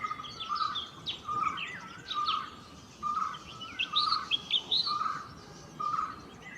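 Golden-fronted leafbird singing a varied run of bright, high warbled and chattering phrases over a steady series of lower whistled notes repeated about once a second.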